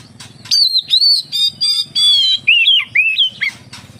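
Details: Oriental magpie-robin song used to prompt other magpie-robins to sing: a run of clear, steady whistled notes of similar pitch, then lower swooping and twisting whistles, over a faint low hum.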